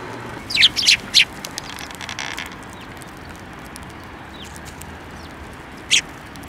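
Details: Sparrows flying onto a person's hand for food at a Tenmangu shrine on 28 December 2023; a quick burst of three sharp high chirps, then a long quiet stretch before one more chirp near the end.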